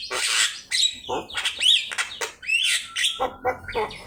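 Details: Javan myna singing energetically for use as a master recording: raspy, hissing bursts alternate with bright, curling whistles, then a string of short, clipped notes.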